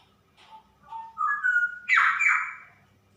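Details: Female straw-headed bulbul singing 'super ropel': stepwise rising whistles lead into a bright sustained note, followed by a loud, liquid, gurgling outburst.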